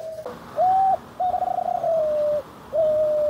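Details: Spotted dove cooing in the manggung style, rendered as "deg kutruuu kuuu": a short clipped note, then a long fluttering trilled coo, and a final drawn-out steady coo, all low and mellow.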